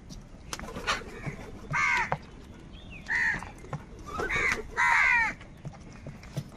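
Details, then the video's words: Crows competing for food give short, grating caws in loose pairs and singles, separated by quiet gaps with faint ticking and rustle. "Crow bird live crowing sounds - All types of crow sounds | Crow bird unity anger and sounds"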